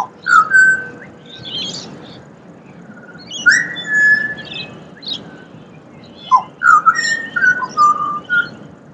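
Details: Pied butcherbird (Cracticus nigrogularis) in Australia singing: clear, fluting whistled notes, some held and some sliding up or down, delivered in loose phrases, with faint high chirps from other birds and a soft background hiss.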